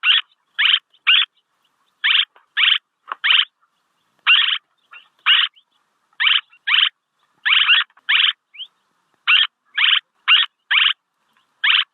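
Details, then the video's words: Recorded swallow calls meant for decoy luring, with a long irregular series of harsh, clipped chirps, many in rapid pairs, and a brief upward squeak. A faint click is heard early on, and the background is quiet. "ສຽງນົກແອ່ນ ຄໍເລດ(ສໍາລັບຕໍ່) Tiếng én, Tiếng Chim Én เสืยงนกแอ่น"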